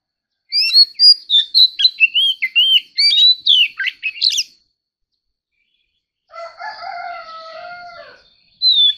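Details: Oriental magpie-robin in a competitive song bout: quick sequence of sweet, varied whistles and short chirps lasting about four seconds, then silence, a sustained layered tone, and one more whistled note at the end.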